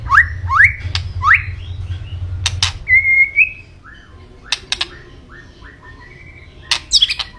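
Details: Lively white-rumped shama song that opens with three fast upward-sweeping whistles and a held whistled note. Softer slurred phrases and sharp clicks follow, with a low hum fading out partway through.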